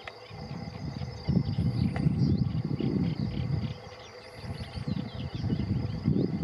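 Two quick bursts of very high, thin piping notes from a Common Sandpiper, over a heavy low rumble of wind or water and a steady insect-like hiss.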